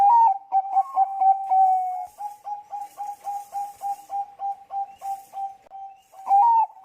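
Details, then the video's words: Zebra dove, a Bangkok-type bird, cooing as a lure call to set other doves singing: a long level note, then a steady run of short clipped coos about every third of a second, ending on a brighter higher phrase. "suara pancingan perkutut bangkok gacor."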